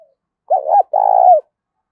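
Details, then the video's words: Decoy spotted dove cooing daily to lure wild doves: one phrase of a quick two-part hollow note followed by a long vibrating coo that dips at the end, in a quiet place. "tiếng cu mồi gáy kích bổi mỗi ngày"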